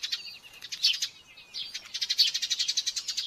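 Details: A Common Buzzard chick in a nest at Tiszalök, Hungary, on May 5, 2024, begs aggressively during a morning feeding with thin, high chittering notes in fast pulsed bursts, about eight a second, pausing briefly before resuming more insistently.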